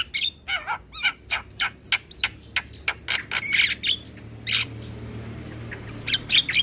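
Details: Asian pied starling song, played in the morning as a tutor for young birds: a quick run of looping whistled notes and harsh clicks, then a pause and a few more bursts.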